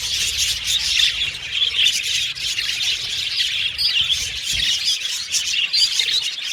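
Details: Australian budgie colony in an aviary, chirping and squawking steadily; a jumble of sharp high calls rises and falls slightly in loudness, with one brief low thump.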